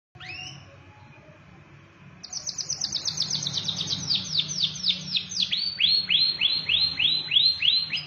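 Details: Canary singing: after a soft opening note, a fast run of bright descending whistled notes begins about two seconds in, repeated several times a second, then shifts to a slightly lower rolling trill until the end.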